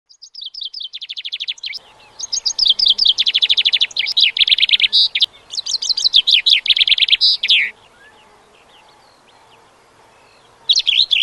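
A chaffinch sings bright, rapid phrases that run down the scale and end in a quick flourish, repeated with short pauses over a soft background hiss.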